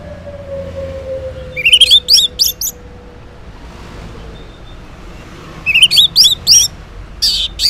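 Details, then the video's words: Morning 'ngeplong' song of an Orange-headed thrush, played as a lure for silent males: two separate bursts of rising slurred whistles over a steady low hum, with a faint tone gliding down underneath. "Cocok Buat Pancingan ANIS MERAH Ngeplong di Waktu Pagi Hari Yang Macet yang Bisu Kalo Jantan Nyaut.."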